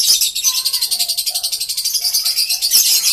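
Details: Green lovebirds keep up a steady, rapid, high twittering chatter pulsing about three times a second, with faint lower whistled notes beneath.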